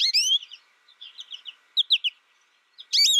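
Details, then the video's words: American goldfinch raised in isolation sings a long rising and falling warbled note, a string of soft rapid twitters, two sharp chirps, then another sustained wavering note. "My American Goldfinch sings a tutor calling birds, goldfinch excitation to sing,goldfinch chirping"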